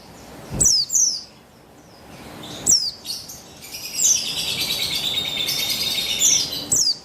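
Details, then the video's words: Female buxtoni white-eye, a caged bird whose calls are used to stir a male into singing: quick thin descending chirps, then a longer high twittering passage lasting about two seconds. "Buxtoni Betina Memancing Bunyi Burung Pleci Bahan Agar Bustomi Gacor Ngalas"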